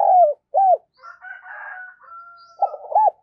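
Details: Decoy spotted dove calling to attract wild birds: a falling coo and a short arched hoot open, then a faint higher drawn tone, before a burst of quick coos and another rounded hoot.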